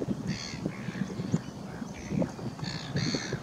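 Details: Pied stilt, also called white-headed stilt, recorded while birdwatching on 28 July 2019: short nasal, harsh yapping notes in bursts, with a steady low rumble of wind or water beneath.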